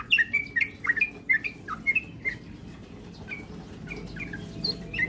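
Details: Sooty-headed bulbul singing a rapid ropel stimulus track to make birds sing eagerly: crisp bubbling notes with quick downward slurs in a dense burst, then sparser, fainter phrases over steady low noise.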